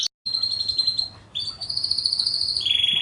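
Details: Canary master song for training pet songbirds: an even high trill, a short gap, then a brighter sustained roll that drops to a slightly lower steady tone.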